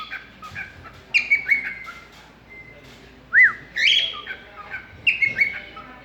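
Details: Cockatiel kept as a pet, chatting with its owner: a sequence of wavering, high whistled phrases, one loud arched note rising and dropping, then more fluttery whistles.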